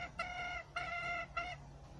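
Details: Wild red junglefowl hen calling three times. Each call is a drawn-out, nasal, harmonic note lasting about half a second, over a low background hum.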